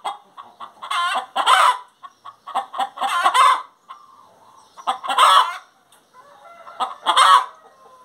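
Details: Hen singing: quick staccato clucks climbing into four loud, rasping, drawn-out squawks spaced roughly two seconds apart.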